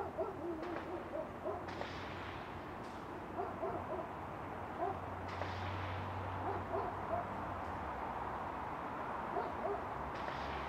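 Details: Low, soft hooting coos of a common wood pigeon in Ljubljana Botanical Garden, Slovenia, on 24 September 2022, repeat over a steady hum of traffic, with other faint bird notes behind.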